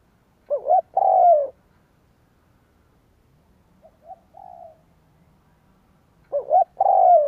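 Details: Spotted dove used as a decoy for wild doves, cooing: two loud phrases of paired short hoots and a long downslurred coo, about six seconds apart, with a soft coo between.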